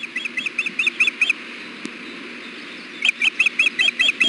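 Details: Female osprey at the nest with eggs, begging her mate for food: a quick series of six piercing chirps, about a second and a half of silence, then seven more in the same fast, even rhythm.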